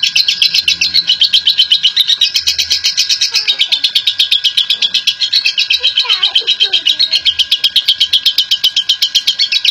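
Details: Long ngekek chattering from a national champion lovebird, used as a lure for other lovebirds. A fast, unbroken run of high, grating chips, with soft lower twittering calls faintly behind it.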